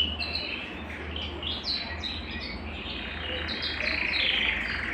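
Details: Belgian canary singing to warm up a cold canary, a series of quick descending chirps and short trills, ending in a buzzy rolling phrase, with background hum and room noise.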